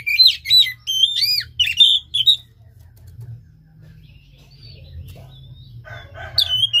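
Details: Kacer, Oriental magpie-robin, singing to encourage a quiet caged bird: quick bursts of bright whistled and slurred notes for about two seconds, then near silence with soft low rumble, and a brief renewed phrase at the end.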